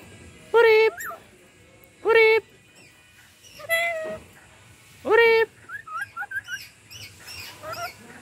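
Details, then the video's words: A young black-capped lory that is learning to talk repeats a nasal, word-like phrase four times, roughly every one and a half seconds, then breaks into a run of squeaky, rising whistles. "Nuri jinak dan lucu pintar omong lagi"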